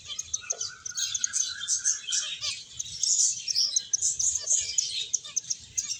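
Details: Finches twitter continuously while playing and feeding, with a quick stream of high chirps and one drawn-out thin whistle near the start.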